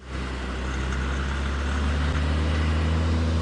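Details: A vehicle engine starts and settles into a steady low rumble with constant droning hum throughout, and no animal calls.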